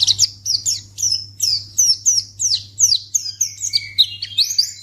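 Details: Continuous string of quick, high twittering white-eye notes, each a short descending slur, delivered several per second to tempt other white-eyes to respond, over a faint steady hum.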